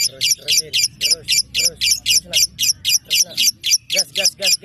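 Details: Female 'fighter'-type competition lovebird, 1.5 years old, from Balikpapan; shrill, high chattering chirps pulsed steadily about four times a second throughout, with a faint low hum underneath.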